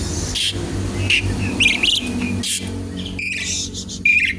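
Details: Asian pied starling in full song, used as a lure and to teach other birds: scattered raspy bursts and brief clear whistles, with a steady low rumble underneath.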